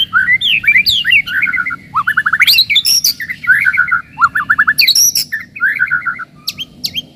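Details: Melodious white-rumped shama song for provoking rivals and toughening young birds: varied phrases of quick descending note clusters, sharp high whistles and rapid trills, delivered in bursts with short gaps.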